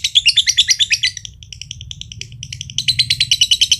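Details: Rapid shrill chatter from a green josan lovebird, a Mojokerto contest bird known for long ngekek trills: loud pulsed bursts, a thinner, broken middle section, then strong dense chattering again.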